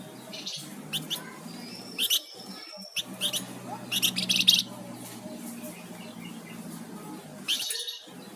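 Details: Active flamboyan songbird giving sharp clicking chips, a thin long whistle and buzzy bursts, with a steady low hum running underneath.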